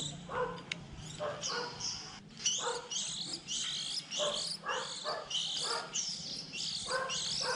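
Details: Young white-eyes early in the 2020 season, when chicks begin leaving the nest around April, recorded for use as a trapping lure: dense overlapping high thin chirps and twitters in quick bursts, with lower buzzy notes beneath.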